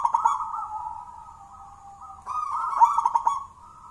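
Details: Local wild zebra dove of the jolotundo type, song suited for use as a lure: deep mellow rolling coos in two phrases, each opening with a burst then a drawn-out purring tone.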